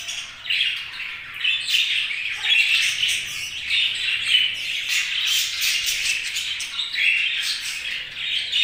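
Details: Constant budgerigar chatter: a busy mix of thin chirps, scratchy warbles and little whistled rises, steady in loudness throughout.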